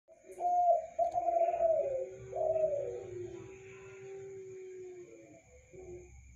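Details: A spotted dove sings at night in a lit spot: soft, low cooing phrases of two short falling coos and then a long, drawn-out lower note, with a faint steady high hum behind it.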